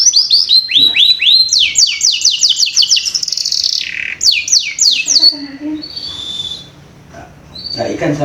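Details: Young-canary lure song: quick repeated rising-falling whistled notes, roughly four per second, building into a buzzy warble, then a pause and a few soft whistled tones.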